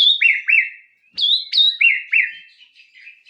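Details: White-rumped shama giving clear repeated whistled notes, each a high note sliding into a lower swoop, roughly every half second, fading toward the end.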